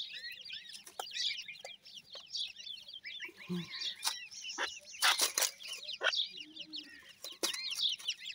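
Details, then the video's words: Grey francolin chicks keep up a high-pitched peeping chatter, short falling chirps overlapping throughout, broken by sharp clicks and a few loud scraping bursts. "teetar bird chicks,grey francolin birds chicks awaz"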